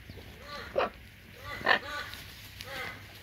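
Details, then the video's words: Two pet hyacinth macaws at play give soft, arched, harmonic calls in short, irregular bursts about a second apart. A few louder, sharper notes rise above a low background hum. "Hyacinth Macaws playing"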